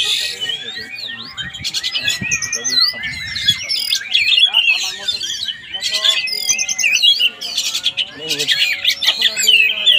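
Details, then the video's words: Kacer (Oriental magpie-robin) at a test session in Palembang: an unbroken medley of high whistles, clicks and buzzy trills, with human voices and a steady tone in the background. "MAEN ABLAK KACER"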